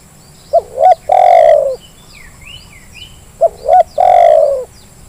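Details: Spotted dove lure call meant to make lazy birds call. A three-part phrase of short coo, rising coo and long rolling coo is heard twice, about three seconds apart, with thin chirps from small birds between.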